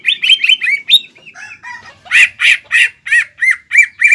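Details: Green leafbird in loud song with fighting-style mimicry, meant to provoke a rival leafbird. Quick chirps are followed by softer slurred notes, then a series of harsh, rasping squawk-like calls about three per second.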